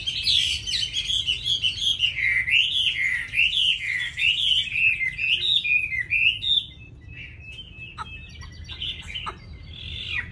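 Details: Chinese hwamei kept as a cage bird, delivering a song rich in forest-style phrases: a long, fast chain of looping whistled notes, strong for about six seconds, followed by softer, broken chirps and a final rising phrase.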